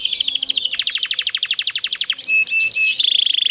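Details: Canary singing a fast, dense song used as a master recording to train other canaries, with rapid rattling trills, a run of quick descending notes, then a bright whistled buzz and high trill.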